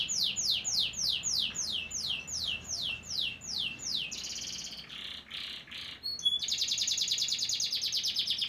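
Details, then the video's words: A white crested canary sings a row of about ten evenly spaced falling sweeps, followed by a softer section, brief whistles, then a rapid high buzzing trill. "white crusted canary nice singing"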